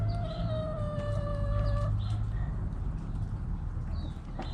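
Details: Backyard chickens: a rooster crows with a long, steady, harmonic note held for about two seconds, followed by softer clucks, with a heavy low rumble of background noise and distant bird chirps.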